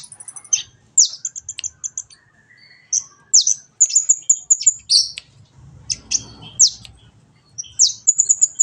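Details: Training recording of kolibri ninja, a sunbird, meant to make a caged bird sing constantly and chatter; sharp high chips and short bursts of thin twittering notes come in separate phrases, with brief quiet gaps and a soft low rumble midway.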